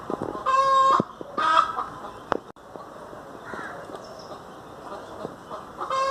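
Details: Two short nasal hen calls open the recording, followed by quieter clucking, clicks, and another call beginning at the end. Domestic hen.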